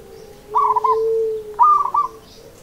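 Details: Seni irama style song of a local zebra dove: two quick phrases of bubbling, stammering coos, the second slightly higher, against a quiet steady background tone.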